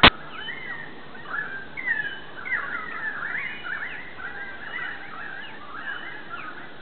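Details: Several currawongs, an autumn flock possibly near 30 in yard trees, call over one another in a steady eerie chatter of ringing, sliding whistles and gurgling notes, with a quiet outdoor background.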